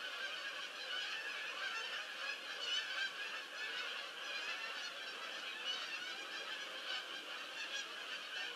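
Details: Many geese landing together on 22 October 2015, their honks merging into an unbroken clamor of harsh, overlapping calls that swells slightly near the middle and end.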